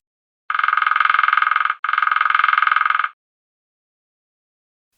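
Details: Two long electronic buzzes, each lasting just over a second, sound back to back with a brief gap between them, followed by silence.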